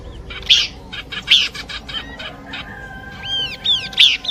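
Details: Horsfield's babbler song combination used for luring birds: clear whistled notes with looping rising-falling arcs near 3-4k, interspersed with short sharp chips, phrases spaced irregularly over a faint background hiss.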